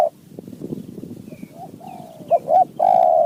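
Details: Wild spotted dove in Thailand responding to a decoy, giving a quick series of clear mellow coos that build to a louder sustained final note, over low rustling background noise.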